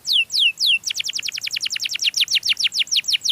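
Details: Canary singing to lure its own kind: three slow falling whistles, then a quick run of repeated down-slurred notes, about six per second.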